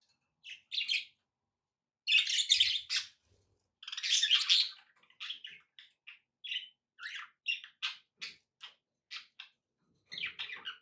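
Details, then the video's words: Household budgerigars give bursts of scratchy, squawky chatter, followed by a run of short, sharp chirps repeated about every half second. "budgie sounds with background noise for relaxation"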